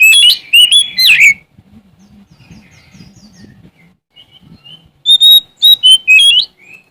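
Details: Sumatran Oriental magpie-robin singing energetically to seek a rival. Opening bursts of sharp, slurred whistles give way to soft, faint twitters, then a fresh string of clear, quick whistled notes.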